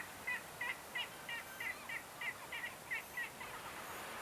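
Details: Black-legged kittiwake on the wild Norwegian coast of Møre and Romsdal in mid-May, giving a steady run of short, clipped nasal notes about three per second, fairly faint against a broad hiss of wind and sea.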